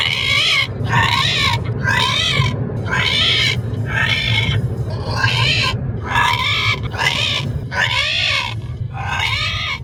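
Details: Pet parrot in a moving car repeating a loud, drawn-out, harsh 'rehhh' squawk roughly once a second, each cry rising then falling, over constant low engine and road rumble.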